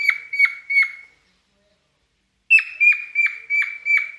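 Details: Cockatiel kept as a pet, in mating mood, giving bursts of clipped whistled notes with quick downward drops, repeated about three per second, broken by a silent gap of over a second before the series resumes.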